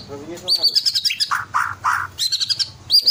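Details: Caged white-rumped shama, ringed and twelve months old, singing loudly to spur other birds into song: high trilled phrase, a descending slur, three low harsh notes, then renewed high bright chatter.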